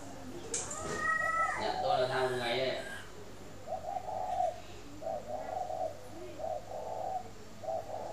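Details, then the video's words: Spotted dove kept at a dove-keeping garden in Ba Vì, Hanoi, Vietnam, calling in the morning: after a few seconds of human talk, a run of low, hollow, mellow coos repeats in short phrases with brief pauses, set against a faint steady hum. "CHIM CU GAY HAY mỗi buổi Sáng"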